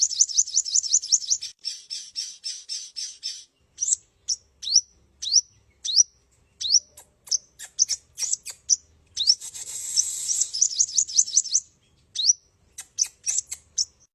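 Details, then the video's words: Sunbird singing high, rapid twittering phrases of quick repeated notes, with separate sharp upslurred chips between them and a brief hissy buzz midway. "Burung Kolibri"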